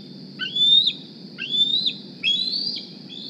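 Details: Hungry young bald eagle D36, hatched in 2020 at Decorah, squealing at the nest for food one morning: three drawn-out high whistles climbing in pitch, roughly one per second, over a low hum.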